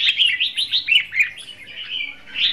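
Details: A caged red-whiskered bulbul used as a trapping decoy, singing hót đấu fighting song: a brief flowing string of fast, sweet warbled notes, a little slurred and bouncy.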